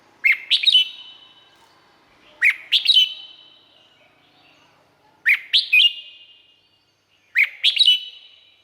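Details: Red-whiskered bulbul from Thailand singing four short phrases, each a quick run of bright rising and falling whistled notes, spaced about two seconds apart with silence between.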